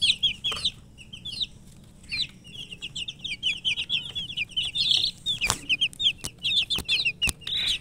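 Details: Chicks of the chicken (murgi) peeping shrilly, sparse at first then swelling into a steady rush of quick falling cheeps from several birds, punctuated by a few sharp knocks.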